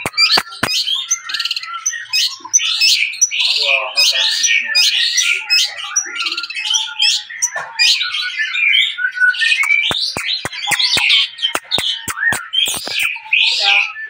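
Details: Golden-coloured long-tailed shrike (Lanius schach), a rare colour form, pours out a fast, varied song of harsh scratchy notes and high whistles, with sharp clicks and taps breaking in throughout.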